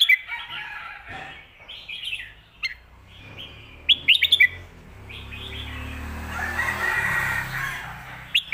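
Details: Red-whiskered bulbul singing the "phat kuaitiao" and "khayao khuat" song styles, used to teach birds at home: scattered clear whistled phrases and sharp chirps, with a rushing background hiss swelling midway.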